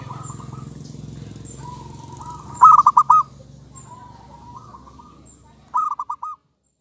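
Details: Local zebra dove song meant to prompt other doves to reply: soft drawn coos lead into loud stuttering bursts of fast pulsed cooing, over a faint low hum.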